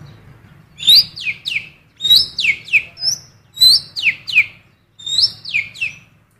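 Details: A blue cucak keling sings female magpie-robin phrases to attract male magpie-robins: four regular bursts, each a bright rising note followed by two or three fast downslurred sweeps.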